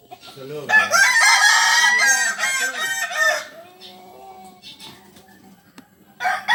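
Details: Kukuak Balenggek rooster from Solok crowing: a loud, harmonic, stepped crow of about two and a half seconds with several linked segments, then fading into quieter background sounds and a brief later burst.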